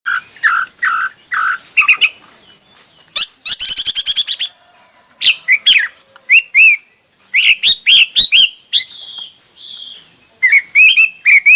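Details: Hwamei singing a varied repertoire: low repeated whistled notes, a fast rattling burst of clicks, then loud slurred whistles and rising and falling phrases separated by short pauses.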